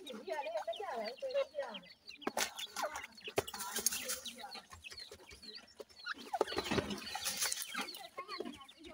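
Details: Partridge chicks kept in care, a brood peeping together: many short, high, arched cheeps overlapping continuously, with sharp knocks and rustling clatter midway.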